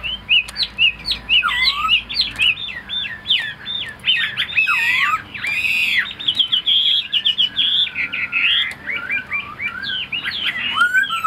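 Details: Chinese hwamei kept as a tame cage bird pours out a long, rich medley of looping whistles, sharp slurs and quick trills, with phrases tumbling into each other over several seconds.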